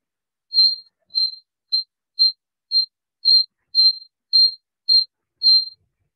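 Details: Desert Cisticola slowed to half speed: about ten identical high, thin notes on one pitch, evenly repeated roughly twice a second, said to sound identical to another species' high repetitive notes; no other sounds.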